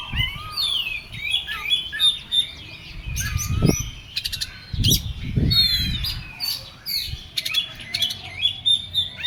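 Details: Oriental magpie-robin in agitated, heated song, pouring out varied whistles and rasping chatter, with a few dull knocks and rustles beneath.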